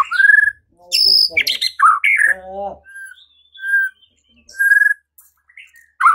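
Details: White-rumped shama answering a lure that provokes it to fight and sing; loud harsh notes and squawky bursts mixed with clear, single whistled notes spaced by short silences.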